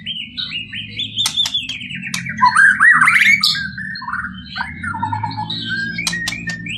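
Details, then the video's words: White-rumped shama (murai batu) in a full-isian masteran song: a rapid flow of descending and rising whistles, buzzy trills and sharp ticks, fairly continuous and varied; constant low rumble behind. "murai batu"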